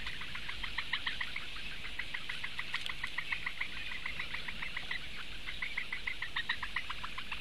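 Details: Four Eurasian bittern chicks begging for food, filmed on a live nest camera on 16 May 2017: rapid, dense series of short ticking notes, about three per second or faster, several chicks overlapping in a continuous chattering chorus.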